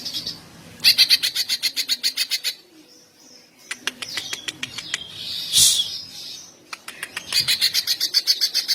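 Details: Greater green leafbird delivering long song bursts to provoke other males and stir mating urge: fast rattling trains of high pulses broken by pauses, a few scattered chirps, and a brief harsh rustle.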